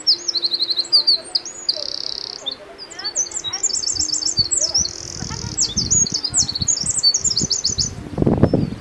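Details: A Eurasian wren in Morocco sings a long, loud, high-pitched outpouring of rapid trills and sharp notes, with a low steady hum and a few thumps in the background.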